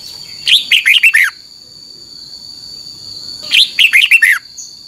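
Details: Red-whiskered bulbul in the doubled 'beun' song style, played for caged birds to learn from: two bright phrases of about five quick falling whistled notes each, roughly three seconds apart, over a steady high electrical-like whine.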